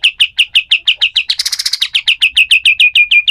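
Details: Rapid, sharp chirps from a pied triller in harsh 'besetan kasar' style, recorded for training other songbirds, repeated several times a second with a dense, buzzy rattle inserted near the start.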